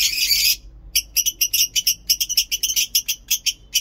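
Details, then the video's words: A lovebird gives a harsh, buzzy burst, then runs into a long series of clipped, shrill chirps, several per second, steady and unbroken in the ngekek style. "Lovebird ngekek panjang"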